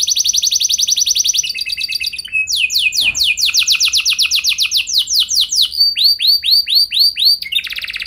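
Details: Canary training song to get other canaries singing long rolls: a rapid high trill, then a long run of repeated downslurred notes about four per second, ending in arched whistled phrases and a buzzy burst.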